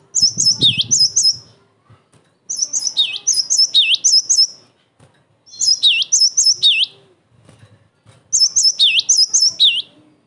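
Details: A cinereous tit in full, emotional song, used as a lure and tutor for other tits, sings loud, ringing phrases of four to five high, sweeping notes, each about two seconds long with short pauses between.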